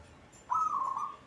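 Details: A single bright, fast-trilled coo from a caged local zebra dove, starting sharply and tapering slightly as it fades.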